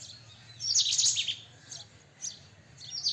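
White-throated kingfisher giving a harsh, high, chattering burst, then a few shorter screechy notes, over a low steady background hum.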